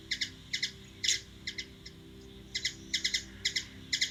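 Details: High, clipped chips from a hummingbird in Washington DC, USA, given in twos and threes, with a short lull near the middle before paired chips resume in a steady rhythm.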